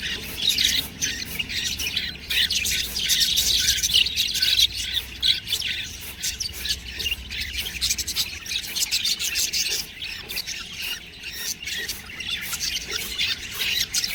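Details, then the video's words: Budgerigar chicks keep up a long, restless chatter of harsh squawks and thin chirps, loudest early on, then a steady, scratchy babble. "budgies babies| cute birds| chirping sound"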